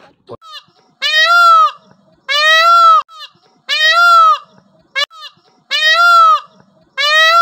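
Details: Indian peafowl, a peacock kept at a dairy and walking around, gives loud, nasal, strongly harmonic calls about a second long. Each is slightly arched in pitch, repeated six times with short silent gaps between, no other clear sounds.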